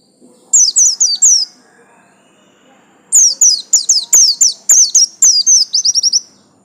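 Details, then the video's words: Yellow-stripe buxtomi white-eye calling in fast runs of sharp, high downward chirps, a short series, a pause, then a longer burst ending in a quick trill. "absen garis kuning pleci buxtomi"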